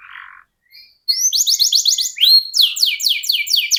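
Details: Canary singing a long rolling song in the ngerol style, a kind of song kept as a model for training contest birds: a short buzz, a pause, then fast repeated rising whistled notes, about four per second, in continuous trills.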